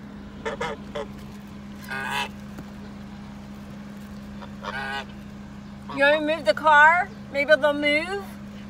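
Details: Attacking swan goose giving nasal, wavering honks, first short and scattered, then a run of loud, rising and falling trumpeting calls near the end, with a constant low mechanical hum beneath.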